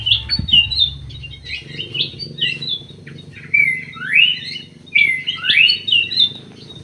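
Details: Greater green leafbird inside an aviary sings a varied string of chirps and short whistles, then several strong rising slurred whistles near the end, over a low background hum.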